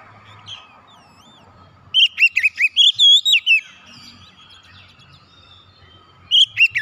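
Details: Oriental magpie-robin song used to get silent kept birds singing again: a burst of loud, clear whistled notes with rising and falling slurs around two seconds in, then quiet, then another whistled phrase starting near the end.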